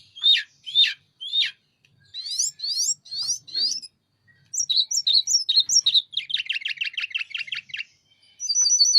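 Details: A Sunda robin sings strongly while opening its wings. It gives three sharp downward notes, four rising buzzy slurs, then bright chirps and a fast trill of about a dozen even notes, ending in a sustained high tone.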